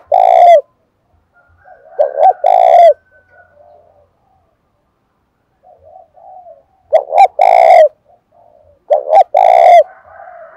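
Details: A spotted dove excited to fight calls in July's stormy weather. It gives loud resonant coo phrases, a clipped double note leading into a long coo, in separate bursts with quiet stretches between.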